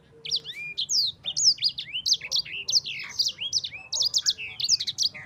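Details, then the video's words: Sanger, or yellow-fronted canary, singing energetically in rolling style: a dense, unbroken run of sharp high whistles, quick rising and falling slurs and chattery notes over a faint low hum. "Kicauan Sanger Gacor Roll Juara"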